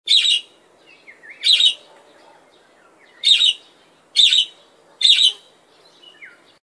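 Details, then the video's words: A parakeet gives five harsh, high chirps at irregular intervals of about one second, with faint softer twitters in between; the background is otherwise quiet. "Parakeet Chirping"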